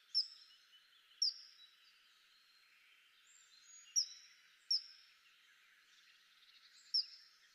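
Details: Common kingfisher uttering short, sharp, very high piping notes, five single calls at irregular intervals of one to three seconds against a quiet background hiss.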